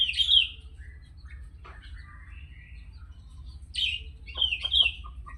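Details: Sooty-headed bulbul singing actively: a loud bubbly phrase, softer chattering notes, then a sharp rising note and a warbled, rolling phrase with clicks, over a low hum.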